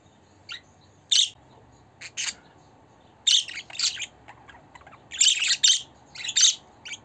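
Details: Budgerigar chatter intended to please a pet budgie: clusters of quick scratchy chirps and squawks, some doubled, building into denser bursts toward the end.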